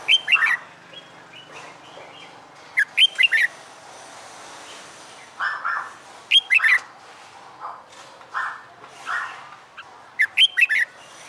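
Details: Caged red-whiskered bulbul, a wild-caught bird singing after a month in the cage, gives competition-style fighting song: four bursts of loud, quick, warbling whistled notes about every three seconds, with softer buzzy notes in between.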